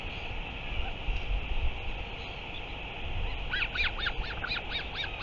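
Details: Northern royal albatross giving a rapid run of nasal, harmonic braying notes near the end, about four per second, over constant wind rumble.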